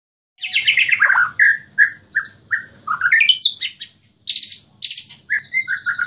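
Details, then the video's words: Caged white-rumped shama from Borneo singing a varied song of clear whistled notes, falling slurs and rising note runs, with short pauses between phrases. "Murai Borneo"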